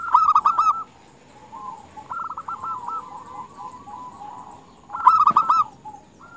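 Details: Calling female zebra dove meant to attract males: a loud string of rapid, rolling coo notes opens the clip and returns near five seconds, with quieter overlapping doves cooing in between.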